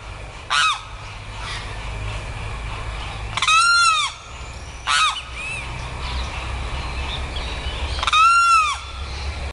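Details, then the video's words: A Limpkin (Aramus guarauna, "carão") gives loud, harsh wailing cries, each with a rising then falling arc, four in about ten seconds over a low background rumble. "Canto do aramus guarauna, vulgo "carão"."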